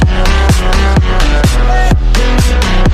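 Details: Loud electronic dance music with a heavy pounding bass beat and synth tones; no animal sounds.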